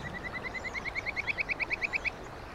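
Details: Crested kingfisher on 15 June 2011 giving a quick series of about seventeen short, sharp notes, growing louder and slightly faster over two seconds, over a soft background hiss.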